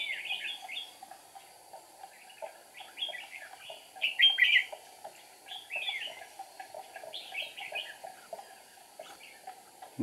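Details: Decoy red-whiskered bulbul singing at a trapping site to lure wild rivals, recorded 8 April 2019; quick clusters of warbled, slurred notes repeated in short bursts, with faint other bird notes and a constant hum.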